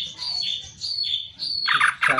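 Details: Masteran tutor recording of a greater green leafbird (cucak ijo): three sweet whistled phrases, each dropping at the end, followed by two harsh buzzy notes.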